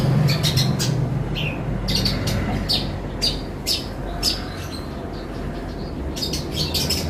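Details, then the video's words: Long-tailed shrike (cendet) singing an isian greja tarung song filled with fighting-sparrow phrases: sharp, scattered chirps and clicks in irregular bursts over a steady low hum. "cendet isian greja tarung"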